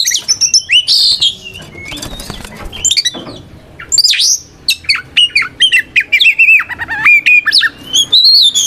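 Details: White-rumped shama (kacer) in full ngeplong fighting song, a provoking song meant to make other shamas answer and spread their tails; varied rich whistles, rising and falling slurs, sharp chips and rapid trills, nearly continuous.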